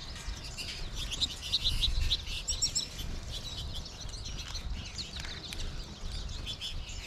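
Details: Flock of American goldfinches in March, with more birds calling from the trees overhead: thin, high twittering chirps scattered irregularly, a quick run of bright notes near the start, over a steady low background rumble.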